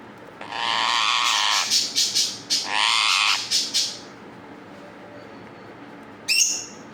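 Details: One of a pair of parakeets gives harsh, raspy screeching squawks in long sustained bursts, broken by short gaps over about three seconds, then a single sharp shriek after a pause; faint background hiss.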